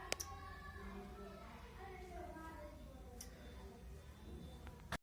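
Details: A pet talking Indian ringneck parrot (rose-ringed parakeet) named Mitthu talks indoors in a soft, speech-like voice of short phrases, with a few sharp clicks and a quiet indoor hum behind it.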